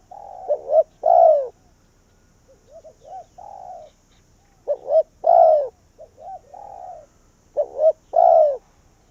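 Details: Vietnamese decoy spotted dove luring wild birds in, voicing three mellow phrases, each a pair of short notes then a long downward coo, with quieter trilling coos between them.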